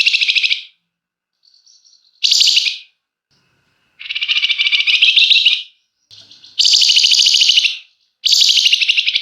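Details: Actively singing flamboyan delivering long, dense 'ngebren' song with emotional 'nyecret' chatter, meant to spur other birds into singing: six rasping, rapidly pulsed bursts of varying length, with brief faint chips in the gaps.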